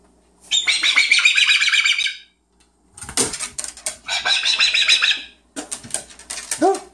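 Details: Pet yellow-naped amazon indoors in the evening giving harsh, raspy screeches in two long bursts, then shorter rough squawks, with thumps and a person speaking in the background.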